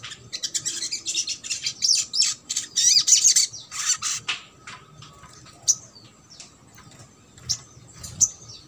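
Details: Trotol-style crimson sunbird song for coaxing lazy birds to sing: several seconds of rapid, high, buzzy twittering, then sparse, isolated sharp chirps.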